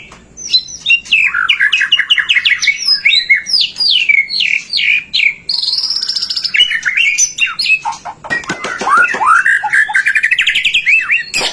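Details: White-rumped shama song used as a lure to stimulate other shamas to sing: long, loud, varied phrases of rapid whistled notes and sweeping slurs, some trilled series, with harsher broadband bursts near the end.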